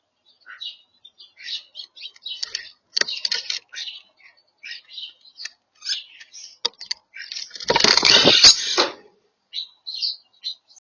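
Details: European starlings while eating: a steady run of short chirps, squeaks and buzzy notes about three per second, interrupted near the end by a loud burst of flapping wings before the chirping resumes.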